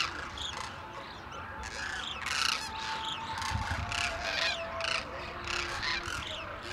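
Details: Demoiselle cranes wintering around Khichan village in India, fed grain by villagers in a rectangular enclosure; a dense, continuous chorus of rasping, croaking calls from many birds overlapping, with no clear pauses.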